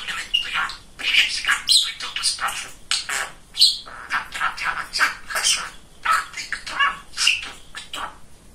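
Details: Very talkative pet budgerigar, a male, mixing mimicked speech with warbling chirps. Dense, rapid stream of scratchy syllables and squeaky notes, nearly continuous for several seconds.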